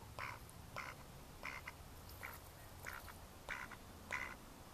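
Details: May 2014 recording of mallards: loud nasal quacks about every half second to second, a few followed by a short extra note, above low-pitched background noise.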